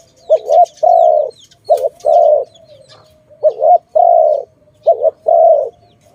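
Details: Dove in a bird-trapping setting, giving four low coo phrases, each a short wavering note followed by a longer steady hum, spaced about every one and a half seconds; faint thin chirps of small birds above.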